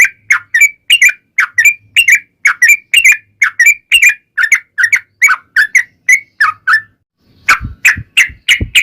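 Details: Yellow-vented bulbul giving a long ropel song meant to lure bulbuls into replying: steady stream of quick, liquid whistled notes, rising and falling, then a brief gap and a burst of harsher notes mixed with low rumbling noise.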